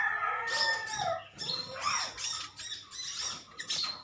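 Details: Sunbirds of a metallic-green colony trading chirps: a lower, rough burst opens, then clipped high chirps come in short groups about twice a second.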